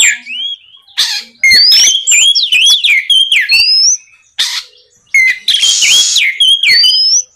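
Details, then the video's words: Oriental magpie-robin (kacer) singing loudly at night to prompt rival birds to answer, mixing clear upslurred whistles, rapid twittering notes and noisy rasping bursts in fast, varied phrases. "SUARA BURUNG KACER GACOR NGEPLONG MEMANCING KACER LAWAN AGAR LEKAS BUNYI NYAUT & GACOR"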